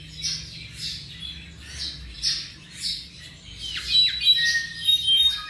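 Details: A Tropical Mockingbird (Mimus gilvus), about 7 months old, gives a varied run of harsh, squawky and chirping phrases, several each second, some dropping sharply in pitch, over a low indoor hum.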